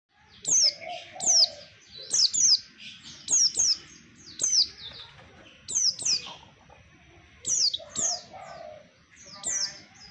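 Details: Oriental white-eye song used as a lure sound for trapping birds: high, thin descending chirps in quick bursts, repeated roughly every second, with faint lower chatter beneath.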